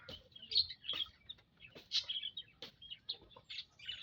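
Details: Flock of munias housed in an aviary, 19 April 2025, twittering with quick high chirps and short squeaky notes from several birds, close together, plus light clicks.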